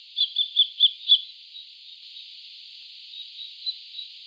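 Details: Common kestrel: five sharp, high, evenly spaced kee notes in the first second, then fainter scattered notes trailing off, the background otherwise quiet.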